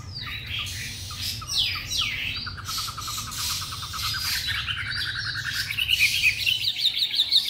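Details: Young caged white-rumped shama, three months old, in Hanoi, Vietnam, singing at length: scratchy mixed notes over steady background hum, turning into a fast rattling trill and bright high twittering.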